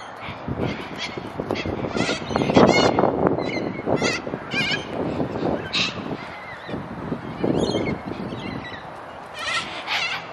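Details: Several cockatoos in Australia, where they are as common as pigeons, overlap harsh, raspy screeches in quick, irregular bursts, some drawn out and honking, over a low rumble of background noise.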